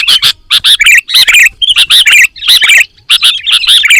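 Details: Sooty-headed bulbul full fill-in song: loud, bubbly chirps and wavering whistles grouped in short bursts, with several brief pauses between clusters.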